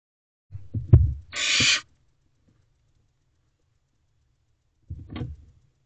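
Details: Barn owl owlet in nest Owl Box C, 2:55 am on 15 May 2023, calling to its parents for food: one short, harsh hissing screech amid low thumps and knocks, then a soft rustle.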